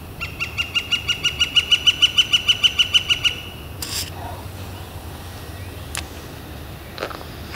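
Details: Northern flicker calling on a warm, clear spring day, April 28 2014: a loud, rapid run of about sixteen even, ringing notes over three seconds, then quiet with a few faint clicks.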